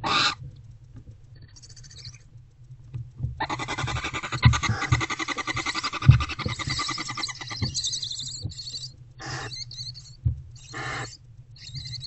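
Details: Adult female barn owl with her older owlet in a nest box, bonding before dawn on 20 February 2024 at about 4:40 am. A raspy, broad hissing screech lasts several seconds over a low rumbling hum, with scraping taps.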